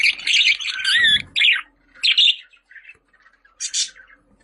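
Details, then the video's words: Budgerigar chattering loudly with squeaky rising and falling whistles and rasping notes, then quieter scattered twitters and one final harsh buzz. "Muhabbet Kuşu Sesleri"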